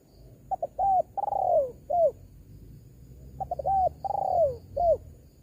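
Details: Spotted dove calling, played to draw in wild doves: the same phrase given twice about three seconds apart, each with two brief clipped notes, a smooth coo, a long trilled coo falling in pitch, and a closing short coo; low background hum.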